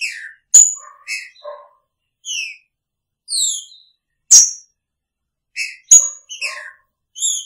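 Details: Green-winged saltator singing beside its female in a shared cage: short, slurred whistled notes, some falling, delivered in quick loose bursts with brief pauses, broken by a few sharp clicks.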